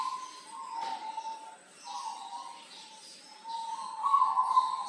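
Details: Local zebra dove sings soft, rolling coos in sustained low phrases, pausing briefly between runs, with a faint hiss behind; recorded in Tulungagung as a song model for training.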